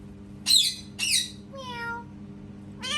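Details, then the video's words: Parrot mimicking a cat: two quick harsh squawks half a second apart, then a smooth, falling meow-like cry and a final rising rasp. A faint low hum sits behind. "PARROT MAKING CAT SOUNDS"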